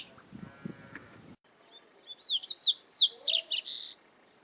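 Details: Double-collared seedeater, or coleiro, recorded live in nature; after some low background noise, a bright song of rapid, steeply sliding whistled notes repeated about ten times in two seconds.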